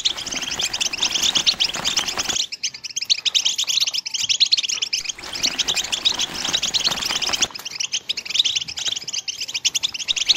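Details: Mating song of a European goldfinch in the betbta and setsesta styles: rapid high twittering in long bursts, with a broad rushing layer of background sound in some stretches and cleaner chirping between them.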